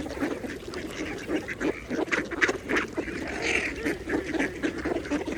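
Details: Mallard ducks feeding at a pond: dense, rapid nasal quacking and chattering from several birds, short pulses overlapping with no steady rhythm, over soft water ambience.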